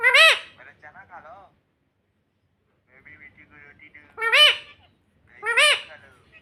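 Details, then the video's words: Pet parrot indoors that says "mummy": loud, sharp, nasal squawks at the start and twice near the end, with soft chattering murmurs between them. "Parrot Talking Mummy Mummy"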